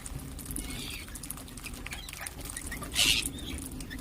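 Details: Ring-necked parakeet, several birds, giving a single loud harsh screech about three seconds in over a low steady hum and faint chirping.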